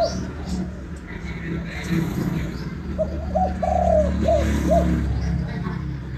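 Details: Vietnamese spotted dove calling in the kích bổi style: one phrase of a short coo, a long sustained note, then two brief falling coos, partly masked by loud low rumble and faint voices.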